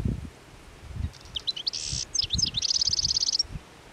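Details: Hungry European goldfinches feeding frantically on plane tree seed balls by the Anapodaris river in midwinter, 17 January 2021: high, liquid tinkling notes, a brief nasal buzz, then a quick run of bright twittering, over low rustling and thumps.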